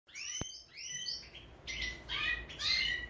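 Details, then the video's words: European goldfinch of the subspecies major singing a bright, tinkling twitter of short chirps and trills in quick bursts, with one sharp click near the start and quiet background hiss. "Carduelis Carduelis major"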